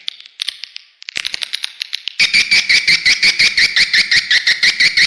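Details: Swiftlet lure call broadcast to attract birds to a bird house. Scattered clicks lead into a steady run of sharp chirps, almost three per second, evenly spaced and loud.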